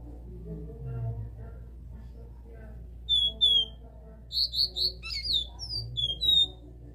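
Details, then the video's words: Classic three-note 'dó' song from a caged capped seedeater: after a few quiet seconds, two clear high whistles, then a run of four rapid buzzy notes, a sharp rising note and trailing whistles, over a low hum. "CABOCLINHO CANTO DÓ 3 NOTAS CLÁSSICO"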